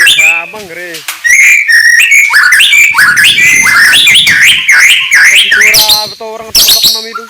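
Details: White-rumped shama song in the morning, used to rouse rival birds: a loud, continuous stream of rich, varied whistled phrases, with rising and falling slurs, quick chirps and buzzy trills that change almost every half second.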